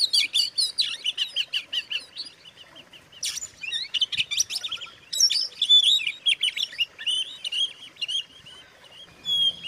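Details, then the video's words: Oriental magpie-robin singing to lure and agitate rivals: a string of rapid, high chirps and whistled slurs, roughly two notes per second, in irregular bursts with brief lulls. "suara kacer buat pancingan kacer lain emosi"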